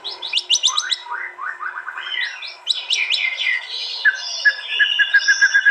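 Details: Contest White-rumped shama from East Java, phone-recorded for a master track, delivering aggressive 'tembakan' song meant to unnerve rivals: quick downslurred chips, varied warbled phrases and whistled notes repeating about four times per second, light background hiss.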